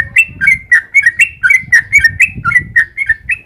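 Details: Sooty-headed bulbul in long, lively 'gacor ropel panjang' song, used as a lure so other birds answer: quick whistled notes, about four per second, alternating slightly higher and lower, over low rustling and thumping noise.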